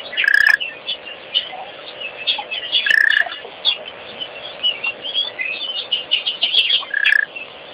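Wattled Starlings chatter steadily with squeaky, wheezy notes. Three louder, harsh rasping bursts stand out about every three to four seconds.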